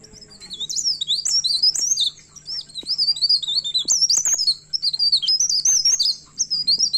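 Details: A myna looking for a rival sings in lively bursts of high, fast, slurred whistles and chirps, each run lasting a second or two, separated by short gaps, over a faint constant whine.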